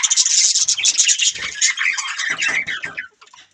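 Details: Budgerigars give a dense, continuous scratchy chatter with high buzzy notes and fast chirps, then fade into a few soft twitters before silence.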